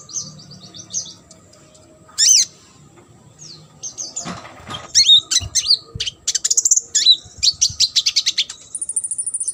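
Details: Sunbird song as a tutor recording for competition birds: a few high chirps and one loud swooping note, then a dense, rapid series of shrill high chips and trills that speeds into steady clicking repetitions.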